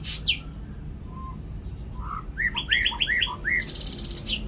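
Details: Cucak ranting giving a lively phrase of short upswept whistled notes in rapid succession, closing with a fast buzzy trill, over faint low hum.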